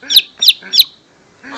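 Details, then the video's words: Song of the lesser green leafbird, played as a lure for young birds in Pekanbaru, Riau: three loud, sharp, descending high notes about a third of a second apart, followed by a faint harsher note. "Suara Pancingan Cucak Ijo Mini/Cimini Bakalan"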